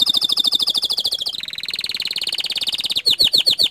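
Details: Unbroken gacor dor canary song: fast pulsed high trills shift pitch twice, then give way to a few strong sweeping whistled notes.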